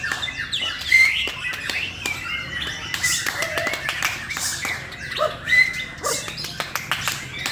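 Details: An Indonesian male white-rumped shama delivers bright, piercing whistles between scratchy, buzzy phrases and rapid ticks, with a man's voice also audible.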